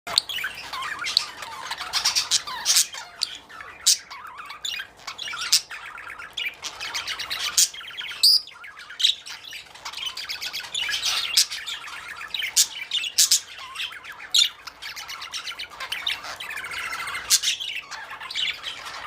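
Budgerigars chatter with a busy stream of high chirps, squawks and warbling notes.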